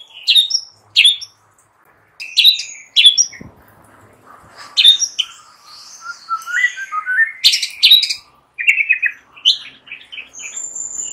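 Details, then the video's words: In a morning recording meant to lure a shama, high sharp chips come in spaced bursts, followed by a long run of varied warbling whistles and fast high notes. "Hitungan DETIK SAJA Jadikan murai PAGI HARI Terpikat NGEPLONG dan GACOR"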